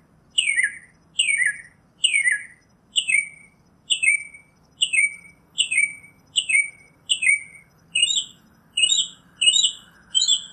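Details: Northern mockingbird repeating a short downward-sweeping note about every 0.8 seconds, a dozen times in a row, the final notes turning choppier.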